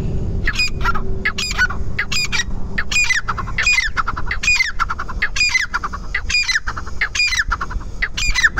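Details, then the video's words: Grey francolin of the Dakhane titar type calling loudly: harsh, ringing notes with strong harmonics, repeated in a steady rhythm about every three quarters of a second, over a low rumbling background. "Titar ki awaz"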